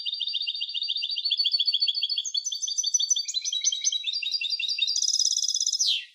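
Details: Song of a European goldfinch hybrid: an unbroken six-second run of rapid twittering trills, shifting between buzzy and tinkling notes, rising into a loud dense high trill before falling off at the end.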